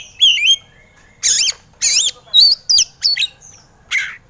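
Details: Kacer (white-rumped shama) training song meant to stir quiet birds into singing: loud, wavering whistled notes bending up and down, several short bursts spaced about half a second apart.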